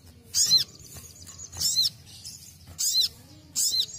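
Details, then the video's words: Basic song of a ruby-cheeked sunbird, used for training: four short, very high, squeaky bursts with sweeping arched notes, spaced roughly one second apart, with quiet gaps between. "KICAUAN DASAR SOGON"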